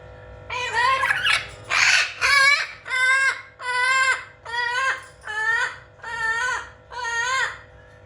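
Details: Blue-fronted amazon parrot described as talking funnily: about nine loud, nasal, harmonic calls in quick succession, roughly one per second, each dipping then rising slightly at the end, over a faint steady hum.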